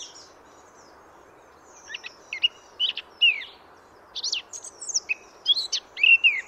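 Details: Free Eurasian blackcap, France: after two seconds of quiet, a hurried scratchy chatter of short varied notes builds and continues to the end.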